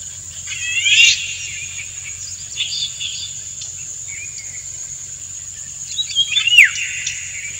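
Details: Male Indian golden oriole singing to stimulate a dancing female; two whistled phrases, one early and one falling steeply near the end, with softer notes between and ceaseless shrill insect noise behind.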